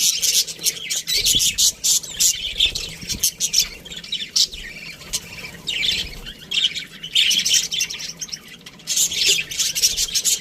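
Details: Busy aviary of budgerigars: rapid, continuous high chirping and warbling from many birds, with clicky notes and short pauses between waves of chatter.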